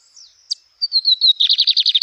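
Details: Close Lined seedeater song in nature: after a single sharp chip, clear whistled notes step downward and break into a fast, rhythmic trill of rough buzzy pulses that carries to the end, over a faint high insect drone.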